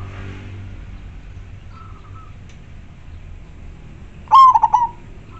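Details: Local zebra dove singing actively in a clear, full voice, used as a lure for wild doves; one short burst of rapid, rolling cooing notes near the end, after faint whistled notes over low background hum.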